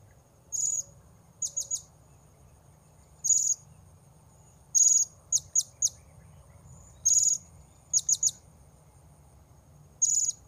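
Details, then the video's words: High, thin piercing notes of a blue-crowned hanging parrot, used for luring wild birds at Port Baru, mixing single longer notes with quick triplets of clipped ticks. "Memikat Serindit Di Port Baru"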